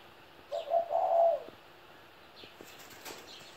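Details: A 17-year-old pet spotted dove gives one low, soft, two-part coo lasting about a second, followed by faint high chirps in a quiet background.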